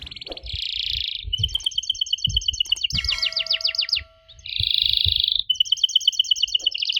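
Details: Canary song used to prompt young canaries to answer: dense buzzy rattles, fast repeated trills and rising whistled notes alternating in a varied, high-pitched sequence, with faint low thumps beneath.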